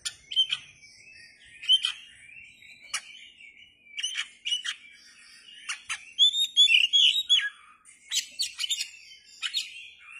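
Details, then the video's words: Oriental magpie-robin singing with its tail spread, sharp clicking notes and short whistles repeated rapidly, broken by a rich warbled phrase of slurred rising and falling whistles midway. "kacer gacor dor ,kacer gacor buka ekor"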